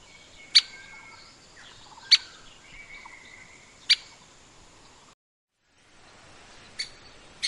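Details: Grey-capped pygmy woodpecker uttering crisp high single ticks roughly every one and a half seconds. Faint drawn-out whistles sound between them, then a short silent break, then two more ticks.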